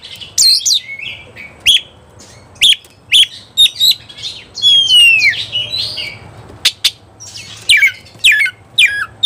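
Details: Excited Oriental magpie-robin in full song, apparently looking for an opponent to fight. Crisp high chips and short whistled notes repeat irregularly, then give way to a long descending whistle and bright rising trills. Faint background hum.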